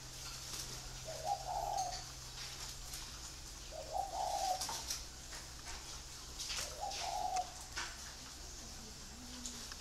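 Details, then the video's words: Free-range breeding spotted doves cooing, three low, hollow phrases spaced about three seconds apart, each rising slightly then falling, with scattered clicks and a faint lower murmur near the end. "chim cu gáy nuôi sinh sản thả rông"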